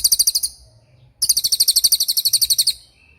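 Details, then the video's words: Cililin singing a tembakan-style burst, used as a training recording for murai batu and other songbirds: two very high, rapid pulsed trills, a short one then a longer run of about twenty evenly spaced notes, with a quiet pause between. "MASTERAN TEMBAKAN CILILIN GACOR DOR"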